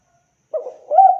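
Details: Spotted dove recorded clean and clear for luring birds: after half a second of silence, a short hoarse coo followed by a louder, sustained mellow note.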